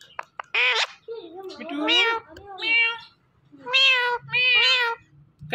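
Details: Indian ringneck parakeet talking, saying "Mitthu": several voiced, nasal, word-like syllables in uneven bursts, some sliding and wavering in pitch, separated by brief pauses, with a faint low hum underneath.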